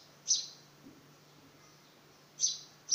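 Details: House sparrow fledgling during its first attempts to fly: three short, high, sharp chirps at irregular intervals over a faint steady low hum, otherwise quiet.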